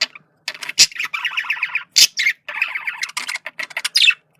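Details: Communication chatter from a male budgerigar: grating, pulsed warble phrases broken by a few loud sharp squeaks, high-pitched and fast.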